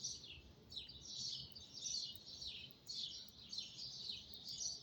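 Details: Birds chirping at 5 in the morning: a continuous chorus of high, thin chirps and trills overlapping steadily, over a low rumbling background hum.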